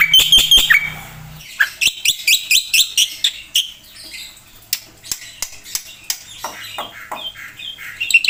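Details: Black-winged myna singing vigorously, its song full of varied filler phrases; a dense burst of sharp chirps opens, then a run of evenly spaced harsh, buzzy notes and scattered whistles, with a low hum underneath.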